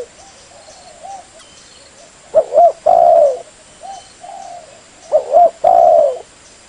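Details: Spotted dove calling to lure birds: soft wavering coos at first, then two loud phrases of paired short notes and a long sustained coo, about three seconds apart.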